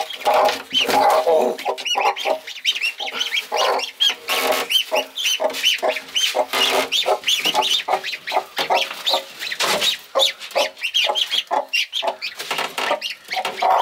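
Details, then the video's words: Mother hen protecting adopted ducklings she treats as her own chicks. Dense, rapid clucks and short calls pour out almost without pause, with high, thin peeps mixed in throughout. "Amazing Mother Hen Protecting Adopted Ducklings"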